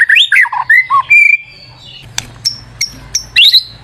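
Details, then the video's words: White-rumped shama lure song with a burst of varied whistled slurs, then a quieter stretch of sharp isolated high notes and a final rising whistle. "PANCINGAN MURAI BATU GACOR"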